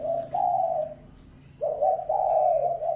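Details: Spotted dove decoy call used to provoke wild doves: drawn-out mellow coos, a long level note, a pause, then a rising note running into a wavering, slightly throbbing phrase, with a faint low hum underneath.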